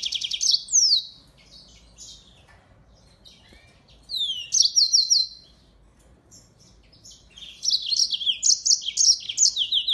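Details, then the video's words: Caged yellow-fronted canary in full active song, used for tutoring white-eyes; short bursts of high sweeping notes and rapid trills separated by quiet gaps of a few seconds, louder continuous phrase at the end. "Burung MOZAMBIK Gacor!!! Cocok banget buat isian Pleci"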